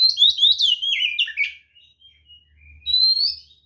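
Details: White-rumped shama fighting song, used to provoke other birds into answering; loud rich whistled phrases sliding and warbling high, a short pause, then a rising whistled note.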